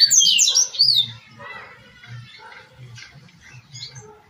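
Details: Double-collared seedeater singing Tui Tui style for training captive birds: one loud, rapid flourish of high sharp notes lasting about a second, followed by faint scattered chirps over a low pulsing hum.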